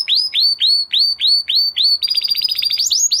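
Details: Male canary singing after moulting, in training: evenly spaced falling-rising slurred notes about three per second, then a quick high rolling trill and upward sweeps.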